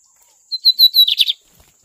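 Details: Lined seedeater, described as a magnata bird, sings a short phrase: a few thin whistled notes rising into a quick buzzy burst of rattling notes, lasting under a second, with a faint steady high hiss behind.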